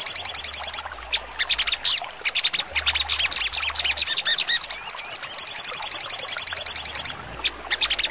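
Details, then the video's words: Sogon, or crimson sunbird, singing a full trotol with sharp shooting notes: rapid high trilled runs alternate with dense bursts of thin chips and a few upward-slurred whistles, then another long even trill and a short pause. "sogon trotol full nembak tajam"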